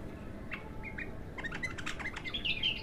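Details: An untrained bulbul on its first singing outing gives a few soft, isolated notes, then a rapid cluster of sharp chirps and rising whistled slurs, against constant low background noise.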